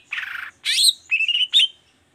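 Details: Long-tailed shrike in 'toet toet' song used as a prompt for reluctant shrikes: a raspy buzz, a sweeping harsh note, then two level whistled phrases ending on a bright upslur.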